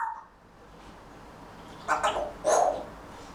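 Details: Pet grey parrot chattering quietly to itself while settling down for a nap: two soft, brief murmured bursts of mid-pitched babble after a near-silent stretch, in a quiet room.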